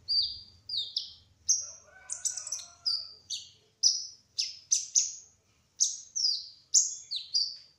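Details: Singing sunbird, called kolibri ninja trotol, in lively continuous rolling song: thin high whistled notes, each sharply descending, given in quick series with brief gaps, some buzzy clusters near the middle.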